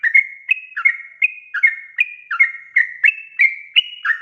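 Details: Sooty-headed bulbul, a lively singer, used as a lure to get newly caught birds to sing: short whistled notes near one pitch, alternately rising and falling, repeated about three times a second in an even chattering string.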